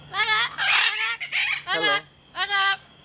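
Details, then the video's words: Parrot at Jungle Island in Miami, Florida, USA, recorded 24 November 2010, talking in a harsh, nasal voice: several short word-like squawked phrases with pauses between them, rising and falling in pitch. "Talking Bird"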